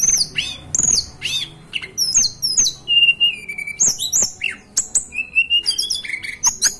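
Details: Hill blue flycatcher, a native bird from the Banten and West Java mountains of Indonesia, delivering a lively sequence of high sweeping whistles, level drawn-out notes and quick downslurred chirps, with scattered sharp clicks between phrases.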